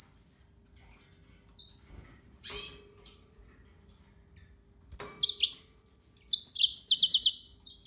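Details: Scattered high chirps and two clicking noises, then a lively burst of yellow-fronted canary song with upslurred whistles and a quick repeated trill.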